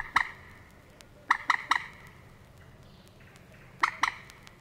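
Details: Moorhen in the reed beds of Matsalu, Estonia (released 1979), giving sharp, explosive 'kek' notes, first singly, then a quick run of three and a pair, over a faint background hiss.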